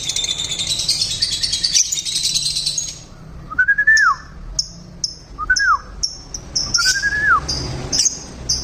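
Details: Lovebirds kept in a small home aviary, described as loud and noisy: a harsh high buzzing chatter at first, then short whistled calls that rise and fall sharply, mixed with brief high chirps.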